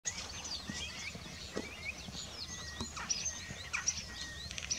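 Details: Rosy starling at Den Burg on Texel, the Netherlands, on 26 October 2024: a busy stream of short, high chirps and scratchy twitters with some rising notes, over steady low background rumble.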